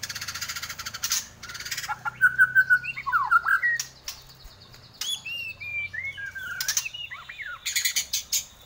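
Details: White-rumped shama from Borneo, singing actively, used for tutoring pet birds at home: varied whistled notes around mid pitch, quick slurred phrases and short sharp clicks, with a steady low hum behind.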